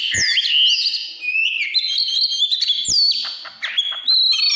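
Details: Vigorous warbling from an Oriental magpie-robin in 'căn lửa' form: clear falling and rising whistles, a few sweet drawn-out notes and chattering bursts, all in one unbroken stream.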